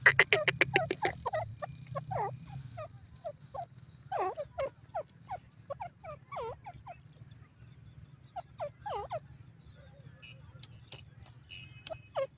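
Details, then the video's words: Loud grey francolin (tetar) calls: fast clicking notes at first, then repeated looping, down-and-up slurred notes in irregular bursts, with a faint low hum. "tetar ki boli"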